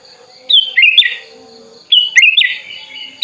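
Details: Tame Sooty-headed Bulbul, hand-raised from young, singing vigorously while opening its wings and calling a rival: two quick bursts of bright, warbled whistled notes with sharp upward flicks, separated by a pause of over a second, over a faint steady hum.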